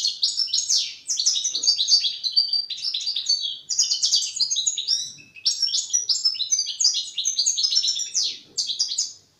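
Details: Juvenile European goldfinch practising its developing song: nearly continuous high, jangling twitter in four long phrases with short gaps, rapid rolling notes and buzzy slurs throughout.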